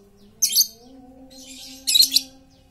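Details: A talkative lovebird, kept as a lure to draw song from silent lovebirds, gives two rasping high chatter bursts with a softer hiss of chatter between them. A low droning hum runs underneath.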